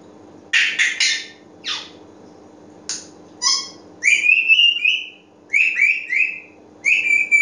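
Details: A pet African grey parrot gives a few harsh, rasping squawks, then a run of clear, slightly rising whistles repeated about every second.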